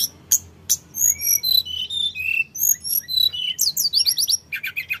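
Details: Lively sooty-headed bulbul song, locally tledekan gunung, used to get untrained birds to respond fast; sharp high chips alternate with short whistles and ends in fast rippling trills.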